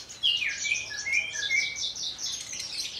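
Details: Horsfield's bush lark from Kulon Progo, Indonesia, kept caged, singing with wing-fluttering in the 'Jambul' style: a loud, clear run of descending whistled slurs and quick chirps, about two per second.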